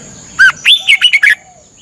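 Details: A single phrase from a caged Red-whiskered bulbul in Thailand, part of a morning training session for learning song: six quick, clear, warbled whistles, the first lower and rising, under a faint steady high hum.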